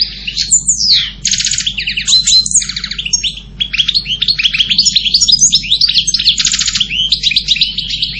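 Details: European goldfinch singing a fast, varied twittering song of liquid chirps, short slurred whistles and dry buzzy trills, delivered without pause over eight seconds against a faint low hum.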